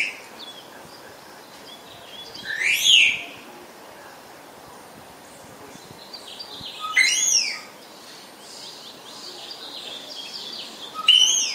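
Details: Spotless starling calling with three loud whistled notes, each sweeping up and falling back, spaced roughly four seconds apart. The gaps between them hold near silence and faint hiss.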